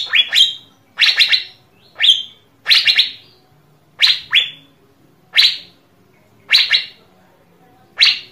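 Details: Asian fairy-bluebird, a bird recording played to stimulate other birds to sing: sharp descending notes sweeping from high down to mid pitch, single or in quick doubles, roughly once a second, with a faint low hum beneath.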